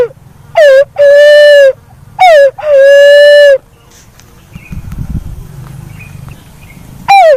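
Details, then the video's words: Black-naped fruit dove giving paired calls, each a brief downward-sliding note followed by a longer, even, hollow hoot. Two pairs are heard, then a low rumbling pause and the start of another call. "SUARA BURUNG PUNAI WALIK HAJI‼️WALIK KEMBANG"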